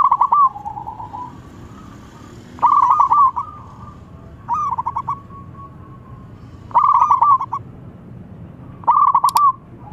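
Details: Loud calls from a local zebra dove meant to make others reply: short staccato cooing trills repeated roughly every two seconds, five phrases in all, some followed by a softer sustained note.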